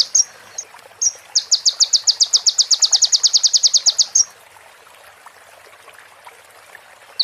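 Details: ['Sunbird song with mimicked phrases of female prinia and bar-winged prinia, used as a training recording: a few short high chips, then a fast even trill of about 20 sharp ticks over three seconds, then quiet.']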